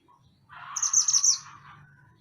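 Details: Mantenan gunung in lively song for training songbirds: a short, dense burst of high rapid twittering over a lower warble, lasting under a second, with a faint low hum beneath.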